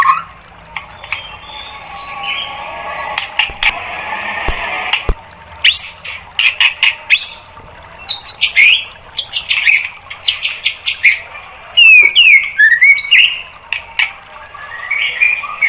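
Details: Master song of a white-rumped shama for training caged birds. Loud rough, buzzy bursts and clicks mix with short whistled slurs, with a brief run of sharp rising and falling whistles near the end.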